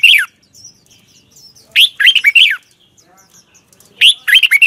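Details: Red-whiskered bulbul singing in the morning in the double twisted voice style, used as a training lure: short, rich, fluty phrases of looping notes in three bursts, separated by near-silent gaps.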